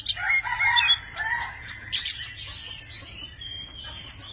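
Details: Tame Oriental magpie-robin singing many varied voices while dancing, spreading wings and fanning tail: a quick run of varied whistled phrases, some rising, some falling, broken by brief dry rustles like fluttering wings.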